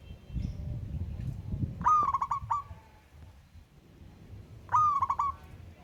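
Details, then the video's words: Local wild zebra dove calling a rival bird: two stuttering coo phrases, a rising opening note followed by rapid clipped notes, almost three seconds apart, over a soft low rumble. "Burung Perkutut LOKAL Alam Ngayer Memanggil Lawan Ikutan Manggung Gacor"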